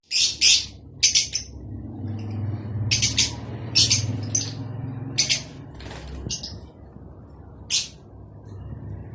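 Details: Mating call of Rosy-faced and Fischer's lovebirds, used to encourage breeding: piercing high chirps in separate bursts roughly every second, over a steady low droning hum.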